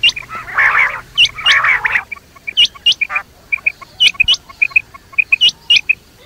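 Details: Quail calling at night: two harsh, buzzy bursts open, then sharp, clipped high notes follow in pairs and triplets, about one group per second, over a quiet background.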